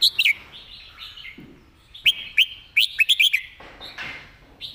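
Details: A caged red-whiskered bulbul gives its master song with clearly articulated notes: a loud whistled opening, then a burst of quick liquid notes rising and falling, followed by a soft trailing note.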